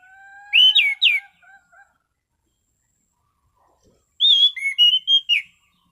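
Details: Ngeplong song of an orange-sided thrush, relaxed yet steady. Three loud looping whistles over a faint lower tone, a long silence, then a lively phrase of six rising and falling whistled notes.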